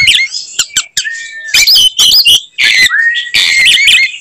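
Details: Oriental magpie-robin (kacer) in fighting song, firing its typical 'tembakan' phrases at rivals: sharp clicks, a long plain whistle, then loud, scratchy squawking bursts with bright whistled notes.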